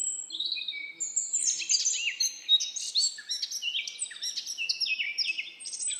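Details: Forest birdsong with several birds singing at once: a dense, continuous mix of high whistles, quick chirps and short trilled phrases that rise and fall, with no pause across the stretch.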